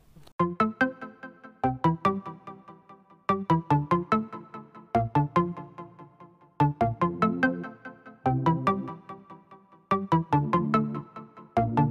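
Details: Rhythmic plucked instrumental music with repeating phrases of bright, ringing notes over a low accompaniment; no animal voice is heard.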